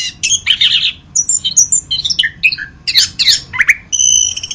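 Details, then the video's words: Orange-headed thrush, locally anis kembang, in masteran song: hurried, harsh-edged chirps and buzzy notes alternate with clear high whistles, ending in a sustained whistled tone; faint hum throughout. "Masteran Anis Kembang"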